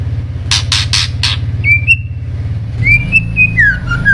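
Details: Shama song against a constant low droning hum: four harsh rasping bursts, then long, pure whistles that rise, hold and fall away in a descending slur.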